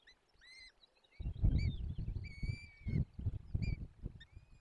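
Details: Young peregrine falcons being fed in a forest nest, Barycz Valley, Poland, 17 April 2024: separate drawn-out high whistled wails, some bending downward, between loud bursts of low rumbling noise.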